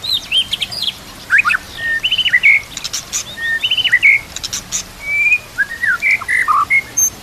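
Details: High, varied phrases from a white-rumped shama whose song carries kapas tembak and cililin canary mimicry, used for training: sharp chips, thin whistles and short slurred notes with brief gaps, set against a quiet natural background.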